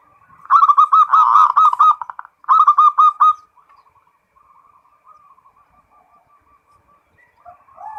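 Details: Local zebra dove singing 'ngerot' style: two strong phrases of rapid crisp whistled coos, followed by a long soft trailing series of faint stuttering notes and a brief low coo at the end.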